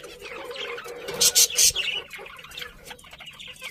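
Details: Budgerigars chirping: a busy mix of high, scratchy chirps and warbles with a brief burst of louder sharp calls midway over steady background hum.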